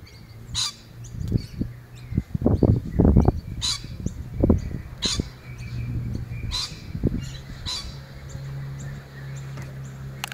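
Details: Rainbow lorikeet, recorded 11 November 2014, giving short, harsh, high screeches at irregular intervals, about six in ten seconds, over low thumping and rumbling noise.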